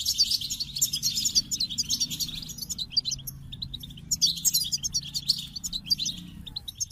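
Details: Lively goldfinch song, dense high twittering and trilled tinkles in two long runs with a short lull between, faint low hum in the background.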